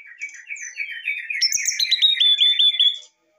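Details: Excited brown-chested jungle flycatcher song meant to draw a response from listening birds. A low warbled run of short notes is followed by a bright rapid series of clear whistles repeating quickly and evenly before it stops.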